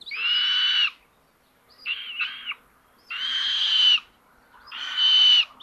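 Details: Common buzzards on a solar-powered nest cam in Tiszalök, Hungary, May 30, 2022, sister stealing prey from brother; loud drawn-out rasping squeals alternate with a softer, broken double call, four calls in under six seconds.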